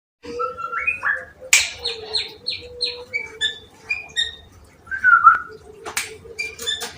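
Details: Young wild-caught white-rumped shama singing in a cage while the cage is held, Semarang: a varied run of clear whistled notes, short rising and falling phrases and sharp high chips, over a steady low hum.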